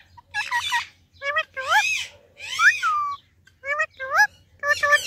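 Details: Ringneck parakeet talking to baby parrots: harsh, nasal, speech-like phrases with rising and sliding syllables in irregular groups, voiced in a strained, raspy tone with short pauses between.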